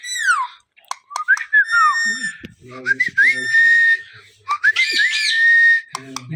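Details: A pet Indian ringneck (rose-ringed) parakeet gives loud, shrill attention-seeking whistles and screams that sweep up and down and hold steady, broken by squeaky, speech-like chatter.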